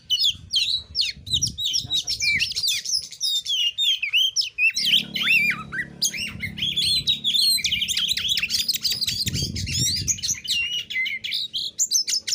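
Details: Oriental magpie-robin in full, continuous song in the narung nembak style, used to provoke rival birds into answering: a rapid, varied stream of sharp whistles, trills and buzzy notes, with a low mechanical hum underneath in places.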